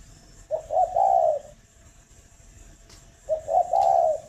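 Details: Spotted dove kept at a breeding farm near Hanoi, Vietnam, cooing in the morning: two matching phrases about three seconds apart, each short stuttered notes followed by a long mellow coo, with a faint click between them.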